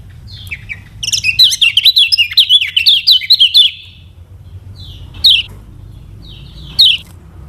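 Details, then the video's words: Yellow white-eye from Lombok singing to prompt other birds to learn and sing. A dense high warble of quick rising and falling notes lasts about three seconds, followed by two well-spaced sharp chirps. "KECIAL KUNING PANCINGAN UNTUK BURUNG BELAJAR BUNYI DAN MALAS BUNYI"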